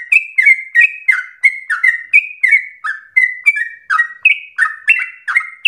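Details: Energetic nonstop song of a sooty-headed bulbul, recorded to stimulate singing and serve as a training master: bright chirps dropping into slurred lower notes, roughly three phrases per second, steady pace, no other sounds.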